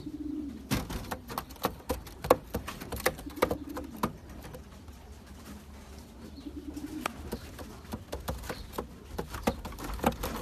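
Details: Champion racing pigeons give drawn-out throaty coos in three bouts, at the start, the middle and later, amid frequent sharp taps and clicks.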